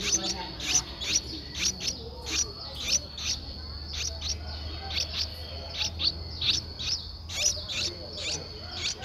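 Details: Eleven-day-old Streak-eared Bulbul nestling in Ubon Ratchathani, Thailand, recorded 13 April 2023: sharp, high chirps repeated in quick, uneven bursts roughly every half second, over a steady high insect-like whine and low rumble.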